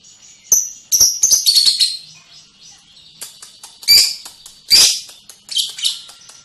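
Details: Lovebird singing a long ngekek trill, rapid chattering twitters and buzzy high bursts run together in an irregular, excited stream.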